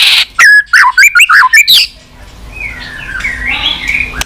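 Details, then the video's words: White-rumped shama, a tame captive bird with a varied, vigorous song: a burst of loud clipped whistled and squawky notes repeated quickly for under two seconds, then a soft, faint warbling in the background. "Burung murai gila || Suaranya cocok sekali untuk Pikatan"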